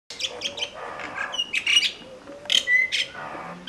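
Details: Common myna calling at Vryheid, KwaZulu-Natal, South Africa, on 12 December 2007: a jumble of harsh chirps, squeaky whistles and gurgling notes in quick succession, with a few clear high whistles mixed in.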